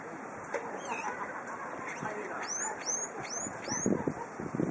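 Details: Brown-eared bulbul calling on a windy spring day: four shrill, arched whistled notes given in quick succession midway through, over steady wind rumble, with a few fainter chirps earlier.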